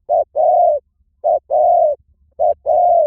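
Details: Spotted dove cooing: three paired phrases, each a brief low coo followed by a longer, steady, mellow coo, repeated about once a second, with nothing else heard.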